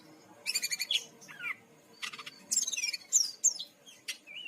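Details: Brown-chested jungle flycatcher from Bali, a lure recording to draw birds into singing: rapid bursts of high stacked chips, a falling slurred whistle, then sharp bright upslurred and down-slurred notes and a final short rising whistle over a quiet background.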